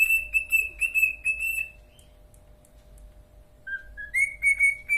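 A cockatiel whistles a clear, tuneful phrase, pauses, then resumes with rising whistled notes.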